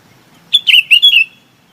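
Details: Chinese babax calling to its flock: a brief, loud run of four slurred, whistled notes dropping slightly in pitch, delivered in under a second.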